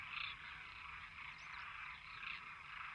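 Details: Demoiselle crane flock calling en masse, a thick wash of overlapping rolling calls with a few higher rising notes standing out above the steady chorus.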